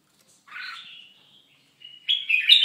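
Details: Moulting red-whiskered bulbul giving a soft slurred note, a thin level whistle, then a louder burst of bubbly warbling.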